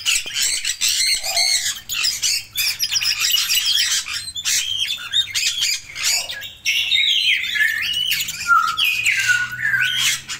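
Red-rumped parrots give a steady stream of high, squeaky chirps and sharp squawks, several birds calling over one another, in a small indoor room.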